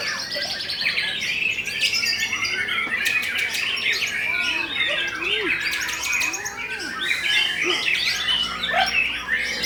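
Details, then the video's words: White-rumped shama (murai raja) competing at the GSN Riau festival, a twice-champion runner-up; rich high whistled and chattering phrases tumble continuously with rapid trills and buzzy notes, with other birds and faint crowd noise around. "AKSI MURAI RAJA PAVING SABET RUNNER UP JUARA 2X 😱, MAIN 2 SESI ❗ FESTIVAL GSN RIAU"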